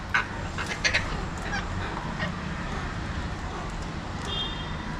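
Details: Alexandrine parakeets, also called mountain or pahadi parrots, watched from a window in Mumbai, India; harsh, grating screeches burst out at the start and again around one second, then a thin tonal note near the end, over steady urban traffic hum.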